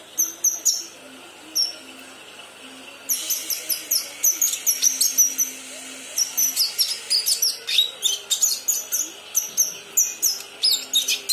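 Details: Young kinoi practising its song: scattered high chirps at first, then a long busy stretch of rapid, sharp tweets and squeaky whistles in irregular series, over a soft steady background hum.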